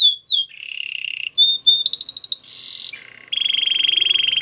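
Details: Training song of a canary: a falling whistle into a buzzy trill, bright clipped notes, a fast pulsing rattle, a descending buzz, then a steady, even low roll of rapid repeated pulses.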